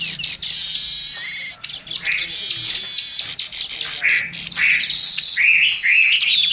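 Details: Oriental magpie-robin (kacer) singing a varied, loud training song for other birds: dense high chatter mixed with lower whistled phrases and a long, clear sustained whistle near the end.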